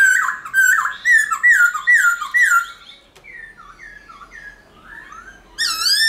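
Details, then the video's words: Forest-style song of a Black-throated laughingthrush, a recording used to stimulate caged birds. A run of loud descending whistles about twice per second fades into softer slurred notes, then one strong rising whistle at the end. "Khướu Hót giọng rừng kích khướu bổi"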